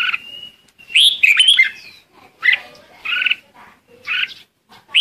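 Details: Red-whiskered bulbul used as a decoy to call its flock, giving a long level whistle, then a rich warbling phrase followed by four short chirpy notes spaced about a second apart.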